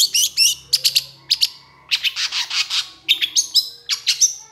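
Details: Excited Long-tailed shrike pouring out rapid, varied chattering: clusters of scratchy high notes and short whistled slurs in quick bursts, with a faint electrical hum behind.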